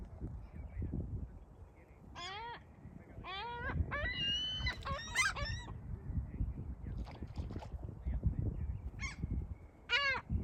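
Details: Seagulls calling: loud, nasal, harmonic-rich squeals and wails. A cluster of drawn-out cries comes around the middle, with shorter calls spaced through the rest, over a constant low rumble of background noise.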